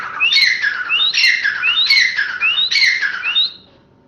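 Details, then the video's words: A grey francolin (teetar) calls four loud, harsh, rising phrases, one about every 0.8 seconds, with squawky, ringing overtones, then falls silent. "Grey Francolin Nature voice|Teetar Awaz"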